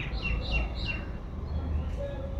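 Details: Birds calling in the evening breeze outside after plants are watered. Three short whistled downslurred notes in quick succession, then a faint note later, over low wind rumble.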